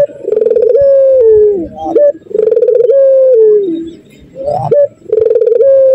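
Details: A Barbary dove (puter) with an "empuk jeru kiw kiw cukurukuk" singing style gives deep, mellow rolling coos in three long phrases, each opening with a quick purring stutter, then holding and sliding down.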